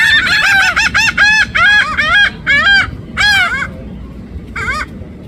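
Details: Noisy birds give a fast string of loud, nasal honking calls, often overlapping, then trail off into a few scattered honks with quieter gaps between them.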